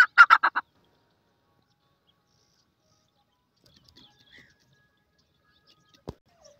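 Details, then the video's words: Francolin (sindhi teetar) calling: a quick burst of five harsh, ringing notes packed into about half a second, then near silence with only faint clicks and a single sharp tap. "sindhi teetar ki zabardast awaz,partridge bird natural voices"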